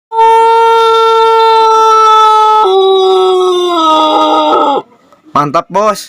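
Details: Pelung chicken rooster in Indonesia, crowing in a voice contest: one very long, steady, harmonic-rich tone held for nearly three seconds, then stepping lower and wavering before breaking off, followed by brief clipped sounds.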